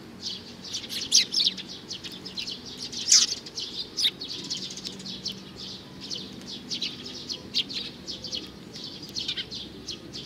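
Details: Sharp high chirps from a young sparrow, a few strong notes standing out among a continuous patter of softer quick tweets, low background noise throughout.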